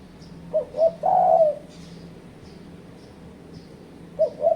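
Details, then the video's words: Spotted dove call used as a lure to pressure rival birds: two short coos followed by a longer drawn-out croo, a quiet pause with a faint hum, then two more short coos starting the next phrase. "Suara Burung Terkuku Menekan Lawan Ampuh untuk Pancingan"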